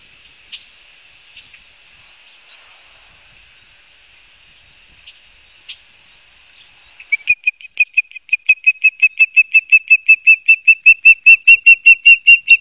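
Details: Osprey calling at its nest in Barnegat Light, New Jersey, September 12, 2022, from a nest camera. Scattered faint whistles for seven seconds, then a sudden run of about thirty sharp, high chirps that grows louder and faster.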